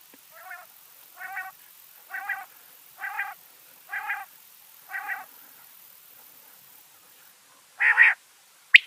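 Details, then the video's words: Quail (batair) associated with Mianwali, Pakistan: six evenly spaced harmonic notes about one second apart, then a pause and one loud, broad, buzzy note. "Quail Sound"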